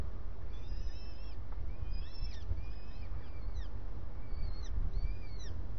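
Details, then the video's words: At breakfast, a starling gives thin slurred whistles, some rising then falling, about one each second, heard over constant low-pitched background rumble. "Estornino en el desayuno"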